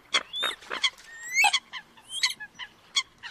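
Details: Competing calls of Eurasian coot from a trapping lure recording, northern Vietnam: rapid series of short sharp pips, with a few thin rising squeals sliding upward in between.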